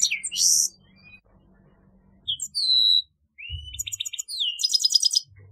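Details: Grey-headed goldfinch giving scattered notes: a buzzy burst, a clear drawn-out whistle, then a short rising slur into quick twittering trills, with faint low background rumble between phrases.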